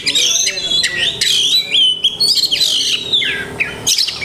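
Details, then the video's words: Oriental magpie-robin (kacer) from the Indonesian songbird hobby, singing a song rich in learned imitations (masteran): loud, varied whistled phrases sliding up and down, interspersed with sharp chips and brief pauses. "Banyak Masteran iNi Kacer"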